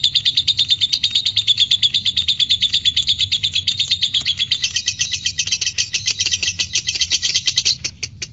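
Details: Lovebird sound played to provoke other lovebirds into singing: a long, fast stream of shrill, scratchy chirps in steady pulses, growing brighter midway before tapering off at the end.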